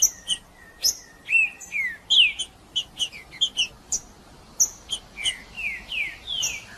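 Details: Macheando song of a trinca-ferro, the green-winged saltator, meant to warm up males: loud, rich whistled phrases of downward-sliding slurs and short sharp notes, delivered in quick bursts with brief gaps.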